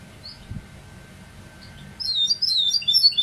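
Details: A goldfinch mule starts singing after a near-silent stretch with a couple of soft chirps, then breaks into a rapid run of high, twittering, slurred notes.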